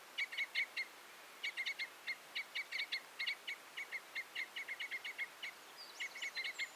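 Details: Red or Common Crossbill song: rapid bursts of short, clipped, sharp notes, several per second, separated by brief pauses, with a faint higher whistled note near the end over a quiet background.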